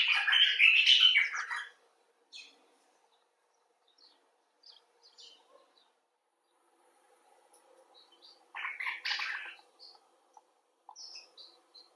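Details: Common bulbul producing a harsh, scratchy burst of chatter that lasts nearly two seconds, then scattered soft ticks, then a second shorter rasping outburst, with light clicking between.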